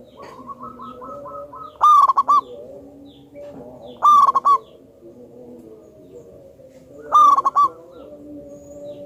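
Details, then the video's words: Zebra dove of local wild stock, very vocal and loud-voiced, used to prompt other doves to sing. Three bright coo phrases about three seconds apart, each a held note breaking into quick pulses, with quieter lower tones between. "Pancingan burung perkutut Lokal Alam super Gacor suara Besar"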